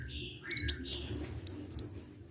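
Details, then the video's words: Sunbird in full song gives a few soft lower notes, then a quick series of about eight bright, high chirps in a steady run. "KICAU BURUNG KOLIBRI GACOR"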